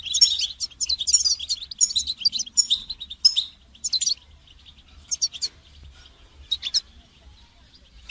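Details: Rapid, high goldfinch twittering for song training, dense for the first four seconds, then thinning to scattered single chirps and short phrases.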